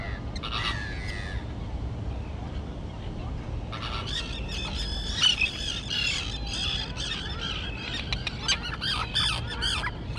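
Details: Young terns, now able to fly, in a grass-choked island colony. A brief squeal opens, then near-quiet for a few seconds before a loud burst of overlapping harsh, scratchy calls fills the rest.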